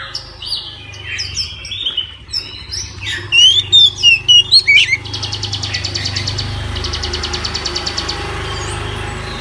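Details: Midday full song of an Oriental magpie-robin: a few loud whistled and chattering phrases, then a steady rapid pulsing rattle over a constant low hum.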